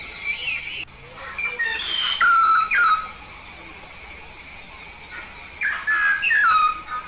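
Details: Yellow-faced myna from Papua, singing actively: clear whistled notes, a slurred upward phrase early on, then longer falling whistles near two seconds and again after five seconds, over a steady high electrical hum.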